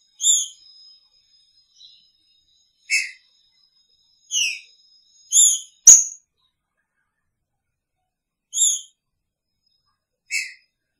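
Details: Green-winged saltator in a cage beside its female, picharro song: clear, piercing whistled notes, some slurred downward, repeated at irregular intervals of one to three seconds, with a sharp click near the middle.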